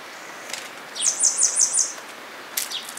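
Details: Grey wagtail, recorded 16 May 2018 at Agano in Japan: a rapid run of five piercing, very high sharp notes in under a second, followed by a couple of brief thin calls.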